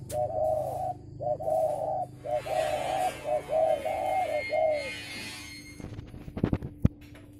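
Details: Spotted dove calling in a cooing contest: a series of mellow, hollow coos in short phrases of two to three notes, repeated about every half second for five seconds, then ending with sharp clicks and knocks.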